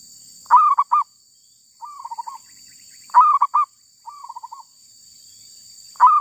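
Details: A wild female zebra dove caught by trapping alternates loud, clipped triple-note coos with softer rattling runs of about six quick notes. The pattern repeats about every three seconds.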